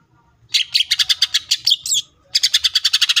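A greater green leafbird sings two bright bursts of rapid, high chattering notes, about eight per second, separated by a short pause.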